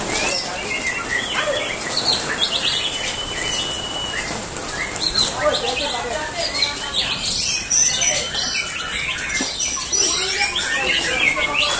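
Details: White-rumped shama (murai batu) in full song, a contest bird kept in a cage and being prepared for a singing competition; varied clear whistles and quick chattering phrases, shifting rapidly in pitch, with a man talking in the background.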